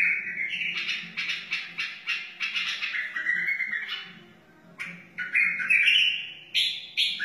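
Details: A wild white-eared bulbul pours out a song used for teaching chicks and encouraging other bulbuls: a run of fluty, chattering notes sliding up and down, a brief lull, then loud rising whistles.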